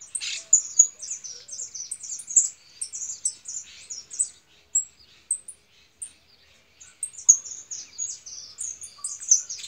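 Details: European goldfinch female, described as angry, keeping up fast, high, liquid twittering chirps in near-continuous bursts with only brief pauses.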